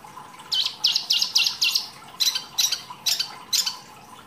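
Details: Wambi mini singing rich masteran material for training songbirds: a series of sharp, buzzy high notes, about nine in four seconds, in two bursts with a brief break.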